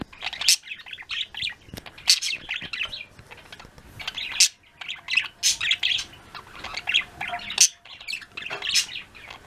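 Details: Flock of pet budgies giving lots of afternoon chirps and trills: a continuous busy stream of scratchy warbles and high chirps, with sharp louder notes every second or so.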